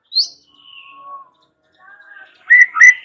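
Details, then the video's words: Young wild-caught White-rumped shama used as lure song: a sharp high note, then long pure whistles, steady then falling, a pause, and loud bright chirps rising at the end. "Pancingan Murai Batu MUDA HUTAN dan PASTOL agar GACOR NGEPLONG"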